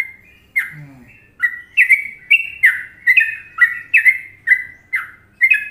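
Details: Sooty-headed bulbul in Indonesia giving the popular Trucukan song: a lively string of about ten clear, bubbling whistled chirps, some doubled, each dropping slightly in pitch, repeated briskly with a brief low squeak near the start.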